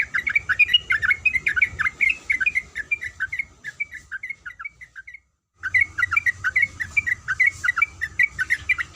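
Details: Sooty-headed bulbul, a female calling the male, giving rapid bubbly chattering notes, short rising and falling phrases repeated in quick runs, a brief silent gap midway, then the chatter resumes; steady faint electrical hum beneath.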